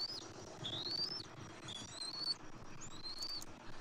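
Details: Bald eagle at a nest on the morning of 27 January 2024, as the father delivers fish and feeds the eaglet: three thin, high whistled notes, each sliding upward, over a low rumbling background.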